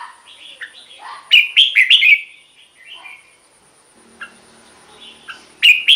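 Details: Red-whiskered bulbul singing in a cage, a recording meant to excite other caged birds: soft chirps lead into a loud warbled phrase, then quieter notes and another loud burst at the end.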